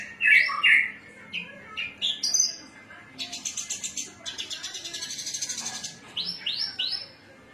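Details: Cilacap-type Javan bush lark giving cing ciu song: strong upslurred whistles and sharp chirps, then a long run of fast, rasping, buzzy pulses, ending with three quick rising whistled notes.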